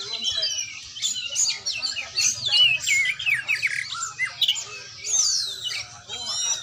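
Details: A training oriental magpie-robin gives a busy, varied run of sharp whistles, slurred notes and scratchy chatters, high-pitched and almost unbroken, with faint low background rumble.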